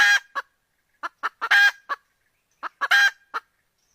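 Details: Chicken calls: harsh, broadband squawking bursts in uneven clusters, several short notes then a louder drawn-out squawk, repeated twice in four seconds against otherwise silent background.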